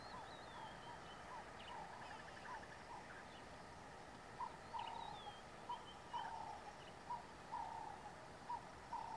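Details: Burchell's coucal (Centropus burchelli) near Satara Rest Camp, Kruger National Park, giving a long bubbling series of low, hollow hoots that grows louder toward the end, with faint higher chirps of other birds behind.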